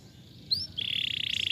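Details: Canary song fragment, a short rising whistle followed by a sustained buzzy trill held for most of the phrase.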